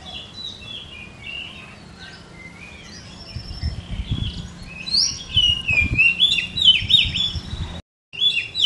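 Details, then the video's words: Blorok oriental magpie-robin singing vigorously with tail pushed out; quiet, scattered chirps at first with some low thumps, then louder varied whistled and scratchy phrases, briefly cut by a moment of silence. "SUARA BURUNG : Kacer BLOROK gacor lagi dorong ekor"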